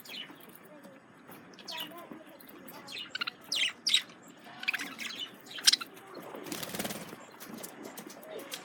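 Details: Male budgies react to a lemon cucumber with soft warbling and scattered sharp chirps, a brief louder harsh burst near the end among quieter chatter.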